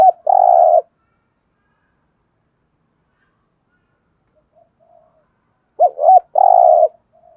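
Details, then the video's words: Two thúc gù phrases from a spotted dove, several seconds apart, each a brief wavering two-part coo leading into a long, even, vibrating coo, with soft low coos between. "cu gáy thúc gù nghe phê"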